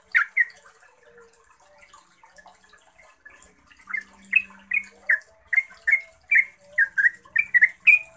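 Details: Yellow-vented bulbul, a recording meant to lure and train caged bulbuls: quiet at first with faint chirps and a low hum, then from midway a steady run of bright, bubbling, slurred notes that grows more rapid toward the end.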